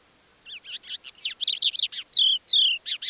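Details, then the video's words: Quiet extended song of a Crested Lark on the Manych steppe, Russia, April, recorded by parabolic dish: after brief silence, a rapid varied run of sharp chirps, rising and falling whistled slurs and buzzy notes, including imitations of other birds. "Наконец, хохлатый жаворонок не выдержал и вполголоса выдал свой расширенный репертуар."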